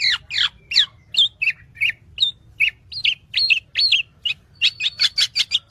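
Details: Black-naped oriole in a training recording: rapid, irregular strings of high squeaky chirps and short slurred notes, about two or three per second, quickening into a dense chattering burst at the end.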